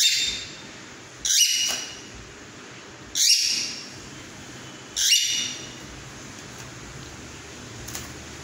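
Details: Cockatiel singing with a mating call: three short bright chirping bursts, about two seconds apart, each a quick high note with a brief trailing sweep, over a steady background hiss.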